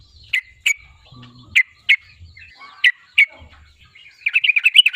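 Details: Sooty-headed bulbul song meant to provoke an opponent to sing: pairs of sharp high chips at roughly one-second gaps, ending in a rapid bubbling trill.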